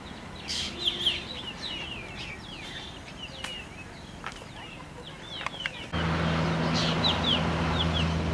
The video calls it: Calls or Song of Juvenile of Black drongo Dicrurus macrocercus